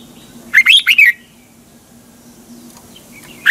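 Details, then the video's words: Red-whiskered bulbul morning song for training caged birds, double-voice style: a clear phrase of three to four quick looping whistles, a quiet gap with faint chirps, and a new phrase beginning at the end. "Luyện chào mào hót sáng, hót hay - Giọng kép xoắn tít"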